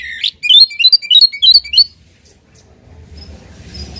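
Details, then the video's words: Oriental magpie-robin, singing to stir a rival into answering: a swooping opening note, then a rapid string of bright, high chirps alternating in pitch, ending abruptly and followed by quiet background noise. "KACER GACOR BIKIN EMOSI LAWAN,PANCINGAN KACER EMOSI BIAR NGOBRA"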